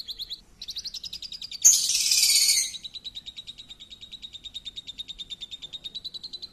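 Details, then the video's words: Champion lovebird's lure song. A rapid high chattering trill runs almost throughout, pulsing several times a second. About a second near the start is drowned by a loud rushing burst of noise. "Pancingan Loberd Juara"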